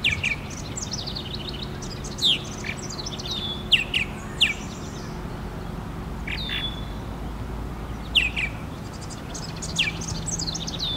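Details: At the martin house in FortWhyte Alive, Winnipeg, Manitoba, a purple martin gives scattered liquid chirps and slurred croaking notes in summer, with other chirps and a constant low background hum.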